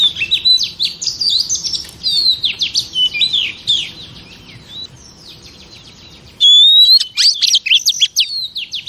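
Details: Female oriental magpie-robin sound for exciting male birds: dense, varied high warbling of whistles and slurs, fading briefly, then resuming with a clear rising whistle and rapid notes.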